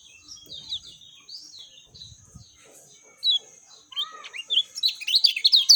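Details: Lemon-bellied white-eye (kecial kuning) song, described as agile and clear, for prompting a quick response from other birds. Soft, sparse high chirps at first, then a single sharp note and a louder burst of rapid twittering at the end.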